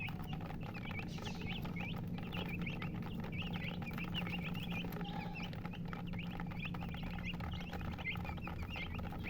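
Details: Chickens, described as colored hens, give a constant patter of short, high peeps from many birds, over a prominent low hum and crackling background noise.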